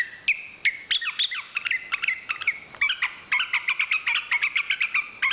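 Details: National champion chestnut-capped thrush (Zoothera interpres) delivering a fast, dense chatter of sharp chirps and clipped whistles. Notes repeat several times per second in a lively, jerky stream.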